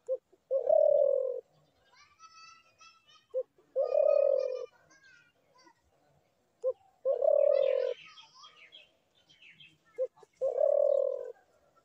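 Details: Spotted dove repeating its phrase four times, each a short note then a long falling coo, while other small birds chatter and chirp in between.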